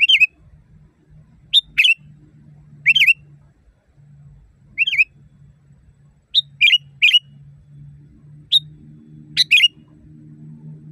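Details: Sooty-headed bulbul used as a training recording for caged birds, loud natural voice: short bubbly whistled phrases, a brief note then a warbled rising-falling burst, repeated at irregular intervals of one to two seconds over a faint low hum.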